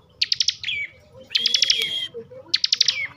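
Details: Caged ciblek (bar-winged prinia) from Tegal, Central Java, in ngebren song: three short bursts of four or five sharp ticks, each ending in a falling whistled slur, about one second apart.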